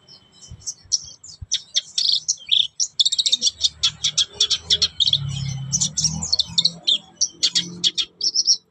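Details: Black-browed reed warbler, kept as a songbird and singing busily: a fast, chattering string of high, scratchy chips and short whistles, nearly continuous with brief gaps, over a low background hum.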